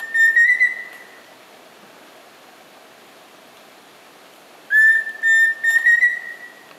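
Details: Pheasant cuckoo calling in the ruins of Tikal, Guatemala: a drawn-out pure whistle, then after a pause a second whistled phrase broken into three steady notes at about the same pitch, faintly rising at the end.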